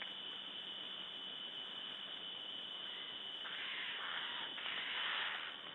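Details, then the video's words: Eurasian jay in Latvia, 27 August 2012, gives two harsh, rasping screeches in the last seconds, over a steady high-pitched whine and constant background hiss. "Jay making noise"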